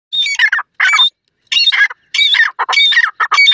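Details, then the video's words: Grey francolin in the wild: loud, harsh, grating phrases in short bursts separated by brief silences, each burst holding several scratchy, squealing notes. "Grey Francolin's Serenade"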